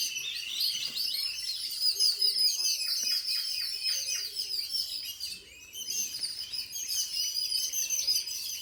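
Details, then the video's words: Birds chirping inside a home: dense, continuous high-pitched twittering and tweets layered together, with a brief near-pause around the middle before the busy chattering resumes. "Bird chirping sounds in my home...."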